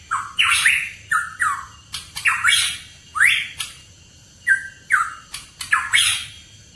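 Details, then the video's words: Hooded pitohui used as a lure recording for kept songbirds: rapid series of loud, rough, downslurred squawking notes mixed with sharp clicks, coming in quick bursts over about seven seconds, with a low hum behind. "PANCINGAN PITOHUI KEPALA HITAM"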